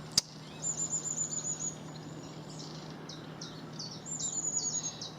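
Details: Young long-tailed tits in a belt of trees near Houghton Bridge and the River Arun, North Stoke, West Sussex, on a Wednesday afternoon, 22 May 2019, give very high, thin trilled calls in short bursts with softer chipping notes, over steady traffic hum from a busy road.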